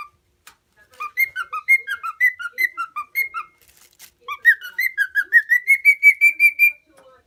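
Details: Four-year-old male lutino cockatiel, a tame pet from Minoh in Osaka Prefecture, whistles bouncing paired notes, pauses briefly, then runs a rising series of regular whistles ending on a steady high tone.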